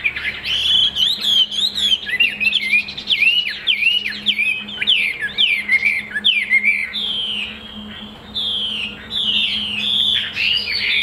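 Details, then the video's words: Chinese hwamei, caged, of the leaf-shaped-tail form, delivering a long, varied song of loud slurred whistles and quick trills, switching phrases often, with a brief quieter stretch midway. "Họa mi đuôi lá vả bóng bộ đẹp hót hay"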